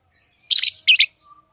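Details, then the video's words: Loud piercing lovebird chirps from tamed pet birds, given in two quick doubled bursts about a third of a second apart. Near silence lies on either side of them. "Love birds Sounds | lovebirds chirping sounds"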